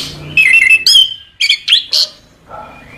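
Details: Orange-headed thrush in a master song recording, giving loud, abrupt phrases of harsh, slurred whistles in three or four quick bursts, followed by a softer trailing note.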